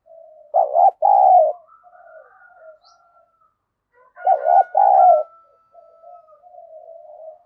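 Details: Decoy spotted dove cooing to draw and provoke rival birds: two loud phrases of a short and a longer husky coo, spaced about four seconds apart, with soft muttering and a faint high whistle.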